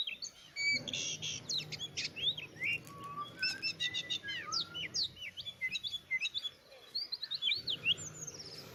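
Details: Oriental magpie-robin delivering a lively song of rapid repeated chips, short trills and sweet whistled slurs, some low whistled notes mixed in, with steady low background hum.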